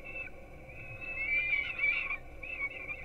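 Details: Young peregrine falcons at a Gdynia, Poland nest camera, 4:21 am breakfast feeding: a short shrill cry, then a longer swelling, wavering screech, with further squeals at the close.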